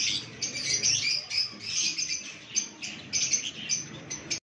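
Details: Lovebirds giving rapid, shrill chirping chatter, dense squeaky notes in uneven bursts with brief gaps, the high twittering filling the whole short stretch.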